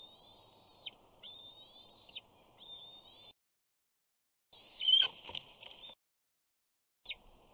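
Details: On 21 June 2019, a 68-day-old bald eaglet at a Big Bear nest calls as a parent approaches with fish. It gives high, thin whistled notes in short phrases, then a louder, harsher burst with a knock, then more whistles.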